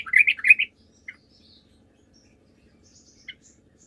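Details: Sooty-headed bulbul recorded as a lure to make other birds answer. It gives one brief burst of bubbly, warbled notes lasting under a second, then a couple of isolated short chirps in near silence.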